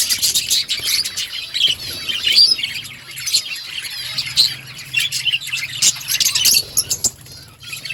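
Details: Steady budgerigar chatter, high twittering and warbled chirps running on without pause, with a few sharper clicks toward the end.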